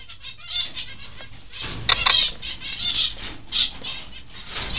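Peaceful Doves flutter in repeated bursts of soft, papery wingbeats, with a louder flurry near the middle and light background rustling.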